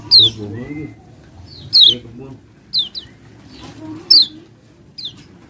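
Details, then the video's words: Lure for common ioras to trigger singing: loud, high, down-slurred whistles separated by pauses, with a few faint softer notes between them. "Kecial kuning bakal EMOSI & GACOR NGALAS Ngejos Jika Mendengar Pancingan Ini"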